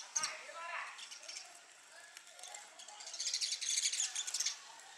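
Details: Sparrow attacking its reflection in a mirror as a supposed territory rival: a sharp knock, scattered chirps, then a loud dense burst of quick high chirps toward the end.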